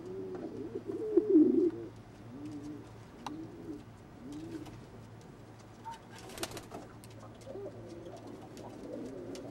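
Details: Frill pigeons, a mating pair: a series of low, wavering coos, loudest at the start then softer, with clicks, rustling and a steady low hum.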